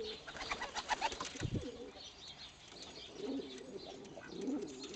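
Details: Two paired pigeons living at a rescue centre, one all white, feed each other before mating; sharp clicks and a scuffle open, then two bursts of low, wobbling coos follow.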